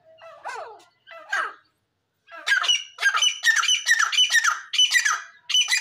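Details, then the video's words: Grey francolin calling: two harsh, falling squawks, a brief pause, then a fast run of loud, grating notes repeated about twice a second. "Teetar ke awaz"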